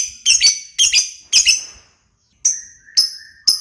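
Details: Lovebird uttering separate sharp, high chirp clusters, three quick bursts then a pause and thinner single chirps with a faint lower whistle.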